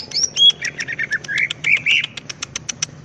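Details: Greater green leafbird in full song: high thin whistles open, then warbling mid-pitched notes run together, and the phrase breaks into a quick series of dry, evenly spaced clicks.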